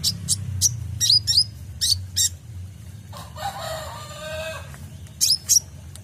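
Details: Kolibri ninja sunbird used as a provoking and training recording for songbirds, full of rapid 'tembakan' bursts: sharp high chips in quick clusters, a lower noisy rasping burst midway, then two more high chips.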